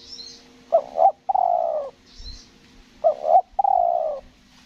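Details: Spotted dove kept as a trapping decoy on Lombok, two stuttering phrases each of a wavering doubled note then a long, falling coo, about two seconds apart, with faint high chirps from another bird.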